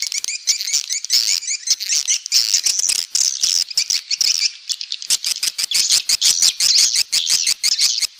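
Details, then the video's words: Swiftlet lure call used to attract swiftlets to nest houses: rapid dry rattling clicks in dense high bursts, loud and nearly continuous, running in fast pulsed trains for over eight seconds. "Suara Burung Walet"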